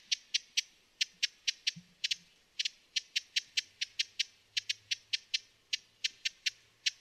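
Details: Broad-billed hummingbird calling: a long series of dry, sharp ticking chips, each very brief, repeated about three to four times a second with small gaps and uneven spacing, against a quiet background.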